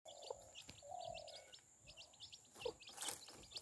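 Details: Chicks with their mother hen, the hen protecting them: many rapid high chirps, short and descending, overlap throughout, with a few lower drawn-out hen notes near the start and light rustling.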